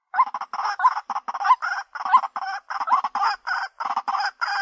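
A White-breasted Waterhen gives loud, harsh, croaking notes, repeated rapidly and unevenly, over a steady thin high whine.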